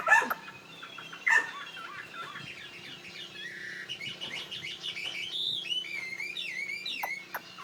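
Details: Tame fighting Chinese hwamei of northwest Vietnamese origin, kept in Saigon, giving a soft, rambling stream of varied whistles and warbles that grows busier and higher in its second half, with a few loud clicks.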